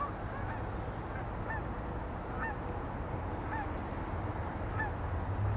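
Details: Canada geese passing over the Allegheny River at Olean, NY, at sunrise; spaced two-note nasal honks roughly every second over a constant low background rumble.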